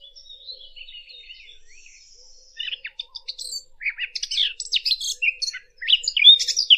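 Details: Fig bird used as a hunting lure: quiet thin whistles at first, then a growing stream of sharp, clicking chirps and high, hurried twittering phrases.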